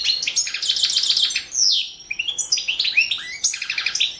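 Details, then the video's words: European goldfinch, Balkan subspecies, recorded as an entry in a goldfinch song championship: a busy twittering phrase, a slurred downward note, then bursts of chirpy, rapid notes. "World championship in Goldfinch Song 2017"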